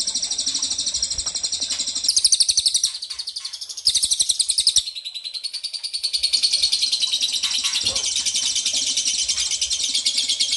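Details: Ashy tailorbird lure call to make birds respond: long stretches of fast, high, buzzy rattling trills, varying in loudness, with short breaks and faint background noise.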